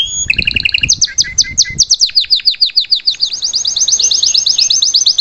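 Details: Belgian salsa canary singing live as a tutor for its chick: opening chirps with soft knocking sounds, then quick falling notes speeding into a fast, bright high trill.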